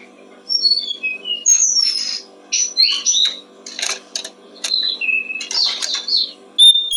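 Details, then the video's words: Brown-streaked flycatcher song for tutoring songbirds, with sharp high chirps, buzzy bursts and short level whistles in irregular phrases, a constant low background hum underneath. "Masteran burung jongkongan coklat"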